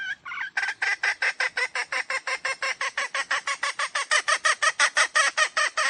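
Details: Red junglefowl, wild: after two short opening notes, a long run of harsh, evenly spaced cackling pulses, about three per second, holding steady loudness to the end, with no other sounds.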